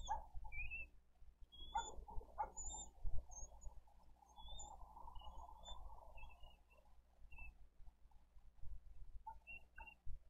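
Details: Bald eagle chick asking for food at a nest in Dade County, 2023-04-20, as an older chick kicks its younger siblings from the food; thin high peeping calls scattered irregularly through the clip over a steady low rumble of wind and nest noise.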